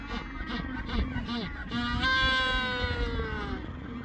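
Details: Penguin chicks at a colony at Cabo Vírgenes, Santa Cruz, Argentina, crying constantly for food while parents are away foraging; a hungry wailing. Several loud harmonic, drawn-out braying cries, one long falling wail in the middle, over a low rumble.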